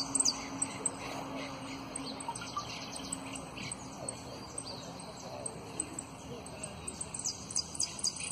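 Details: A saffron finch, a runner-up competition bird, sings rapid high chirps, buzzy trills and sharp whistles in quick bursts, while a person talks faintly in the background.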